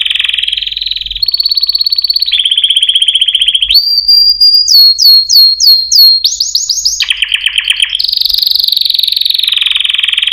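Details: Canary song made of a chain of distinct tours: flat rapid trills, a clear held whistle, then repeated downward-sweeping slurred notes and a rising-falling series, each section changing pitch abruptly.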